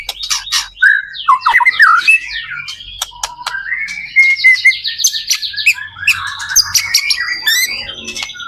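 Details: Lively white-rumped shama singing to prompt other shamas to join in; dense stream of warbles, trills and whistled notes mixed with sharp ticks, continuous throughout.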